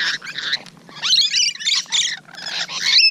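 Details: A morning close encounter with rainbow lorikeets on 12 June 2017: scratchy, high screeches and twittering squeaks in clusters separated by short gaps.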